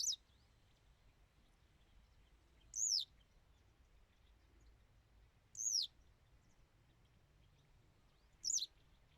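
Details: Western yellow wagtail calling steadily: four high, sharply down-slurred notes at roughly three-second intervals over a light hiss.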